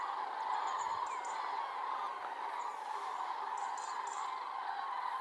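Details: Common cranes gathering to leave the Iberian Peninsula in their last month there make a steady, blended roar of rolling, trumpeting calls, with a few faint high notes above.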